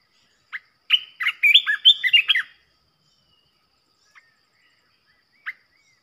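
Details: Red-whiskered bulbul singing as a decoy to provoke other bulbuls; a brief note opens a dense, rapid whistled phrase, followed by silence broken by two isolated short calls.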